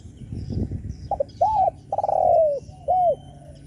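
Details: Spotted dove cooing to provoke other doves: a low rustle, two short clipped notes, an arched coo, a long slurred coo sliding down, and a final arched coo, all mid-pitched and hollow.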